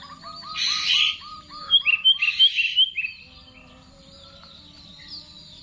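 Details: Kept sooty-headed bulbul in full Garuda song style: a run of evenly repeated mid-pitched notes, then a burst of bright sharp whistles and chirps, fading to quiet after three seconds over a low background hum.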